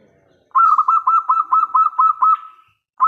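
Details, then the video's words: Local zebra dove singing loudly, used as a lure to make other doves answer; a rapid run of about eleven rolling, pulsed cooing notes at a steady mid pitch over two seconds, then a fresh phrase starts; quiet background. "PERKUTUT LOKAL GACOR suara besar - LANGSUNG KONEK (BIKIN NYAUT) PANCINGAN BURUNG PERKUTUT"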